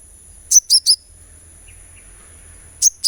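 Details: Sunbird therapy sound meant to get a bird singing: a tight run of three piercing high chirps, a pause, then two more chirps starting, with a quiet background.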